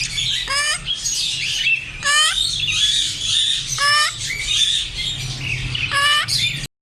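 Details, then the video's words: Squawking African grey parrot giving four harsh, rising, harmonic-rich calls spaced roughly every one and a half to two seconds, with scratchy high chatter filling the gaps and a steady low background hum. "African grey parrots||parrot talking natural sounds"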